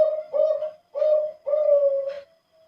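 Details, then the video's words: Bangkok contest-class zebra dove with a thick voice, recorded in Wajo, Sengkang, South Sulawesi, as a lure: three drawn-out, resonant coos, the last one longest and ending in a slight rough flourish. "SUARA TEBAL PERKUTUT BANGKOK TRAH LOMBA"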